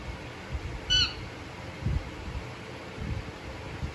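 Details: Pet Indian ringneck parakeet indoors making a single short, harmonic squawk near the one-second mark, over a steady room hum with faint low thumps.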